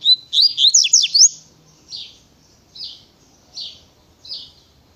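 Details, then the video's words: A double-collared seedeater sings a rapid tui tui burst of sharp rising and falling whistled notes, followed by four softer, buzzy notes spaced about a second apart. "Coleiro Natureza Tui Tui Pensa Num Coleiro Rapido"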